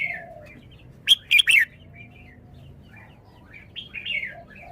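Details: Caged red-whiskered bulbul showing its song phrasing: three loud, sharp chirped notes in quick succession, with softer scattered warbling notes before and after. Faint low background hum throughout.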